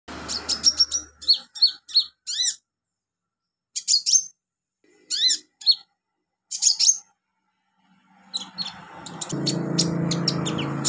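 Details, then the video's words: Olive-backed sunbird song used as a training recording for young birds: bursts of high, thin chirps and sharp trills with short pauses, then a low steady hum of background noise toward the end. "MASTERAN KONIN/KOLIBRI NINJA buat konin pemula cepat gacor"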